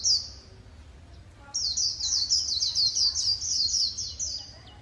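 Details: White-eye singing in the Vietnamese líu style, from a compilation of keepers' birds in Vietnam: a brief high note, a pause, then a rapid run of bright, slurred, high-pitched warbling notes tumbling in quick succession for about three seconds.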